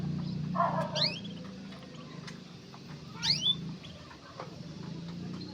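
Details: Migrating mugimaki flycatcher, a small sweet-voiced bird; two brief bright phrases of rising, slurred whistles about two seconds apart, over a low background hum.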